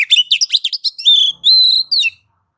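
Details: Oriental magpie-robin (kacer) singing ngeplong to encourage other kacer to sing: fast twittering notes give way to two long, steady, pure whistles and a final downslurred note, all within about two seconds.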